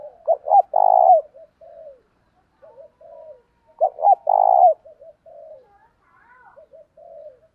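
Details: Cooing of cock and hen spotted doves meant for daily decoy training. The same loud phrase comes twice, about three and a half seconds apart: two clipped notes, then a long tremulous coo. Softer coos trail after each phrase.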